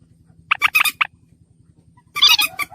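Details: Slaty-breasted rail used as a lure call: a quick burst of four harsh grating notes, a pause, then a dense scratchy squawking run, over a low steady hum.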